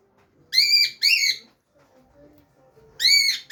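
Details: Cockatiel (Nymphicus hollandicus) gives loud, shrill, arching calls, two in quick succession, then another after a pause.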